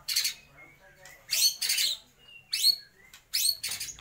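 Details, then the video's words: White-rumped shama voicing mimicked calls of lovebird, kapas tembak and pijantung gunung: loud, harsh, screechy bursts alternate with thin steady whistles and upslurred notes, each burst separated by short pauses. "MURAI BATU GACOR || TEMBAKAN Love bird,kapas tembak dan pijantung gunung"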